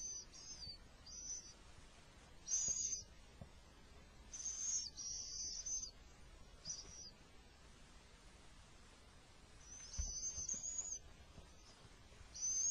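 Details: Little owl, male bringing food in the middle of an attack; rasping, breathy high-pitched screeches in short bursts, some doubled, about nine in all with brief silent gaps, and soft knocks in between.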